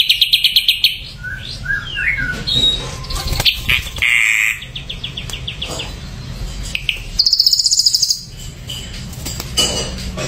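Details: Ashy drongo in varied song: a quick rattle, swooping slurred whistles, a harsh buzzy note, then another fast high trill among scattered chips.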